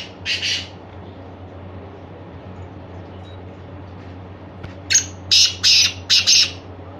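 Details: Black francolin calling with a rasping burst, then after a pause a phrase of four to five harsh, scratchy notes. A constant low electrical-sounding hum runs in the background.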